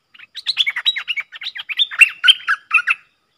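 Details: Streak-eared bulbuls, a pair dueling in song on 30 October 2021. Three seconds of fast, jumbled whistled chirps and slurred notes at a steady, lively pace.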